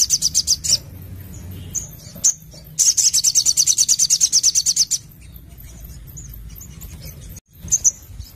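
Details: Singing Crimson Sunbird, known locally as Sogon, delivering 'nembak nglaper' song: short bursts of shrill, high chips, then a sustained rapid trill of piercing notes for over two seconds, then scattered single chirps.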